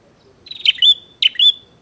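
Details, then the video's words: Bar-winged prinia close and loud, inviting a fight: two piercing phrases, each a sharp high chip sliding into a drawn-out thin whistle, about half a second apart. "SUARA BURUNG PRENJAK GACOR NGAJAK TARUNG"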